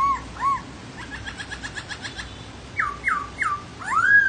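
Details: Laughingthrush song mixing two arched whistles, a soft rapid stuttering trill, three quick downslurred notes and a final loud rising-falling whistle.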